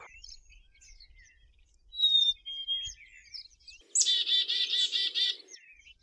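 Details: Black-capped chickadee (Poecile atricapillus) call: a clear two-note whistle stepping slightly down, then a harsh, buzzy run of rapid dee notes, with soft high chips around them.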